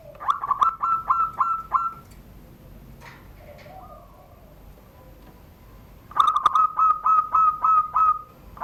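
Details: ['Caged zebra dove from Serang, Banten, Indonesia, a privately kept bird cooing in the classic Surung Gdor style beneath a doorway. Two phrases of quick clipped notes, each ending in a drawn-out ringing trill, separated by a quiet pause.']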